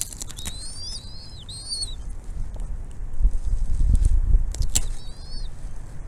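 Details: Bald eagle at its nest, mother bringing food to feed her chicks: thin, high, slurred whistles in two quick bursts, then a brief third, over steady low wind rumble.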